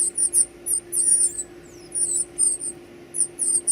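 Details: Baby birds being fed give loud, shrill, wavering squeals in bunched bursts, some drawn out and some clipped short, over a faint hum.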